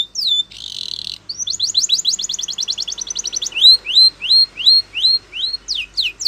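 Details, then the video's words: Champion training song of a Spanish Timbrado canary. A falling whistle and a short buzzy trill lead into a rapid rattling series, then clear rising whistled notes about twice a second. A faint low hum runs underneath. "Canary Training Champion Song !! Canary Bird Sound"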